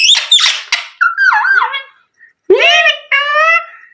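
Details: A parrot talking indoors: a run of short, harsh word-like syllables, then after a brief pause two clear, nasal, harmonic-rich phrases that rise and fall like spoken words, ending in a drawn-out squeaky tone.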